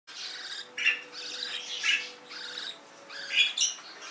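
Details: Canaries, admired as beautiful exotic birds, giving short bright chirps and twittering notes in separate bursts roughly once a second, with a faint low hum underneath.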